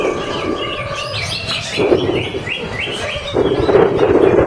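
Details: Greater green leafbird performing at a bird-singing event in Bekasi sings quick, varied whistled phrases, sliding up and down in short bursts, over a low crowd murmur and background bustle.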